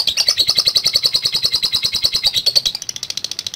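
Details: Lovebird in long ngekek chatter, ngetik style: a fast, continuous stream of shrill, high chattering notes, slightly wavering in pitch, becoming sharper and more clipped near the end.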